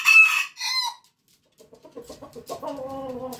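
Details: Rooster crowing, a harsh, drawn-out, harmonic crow for about a second, then a pause and a run of clucking notes that rise into another long, buzzy call.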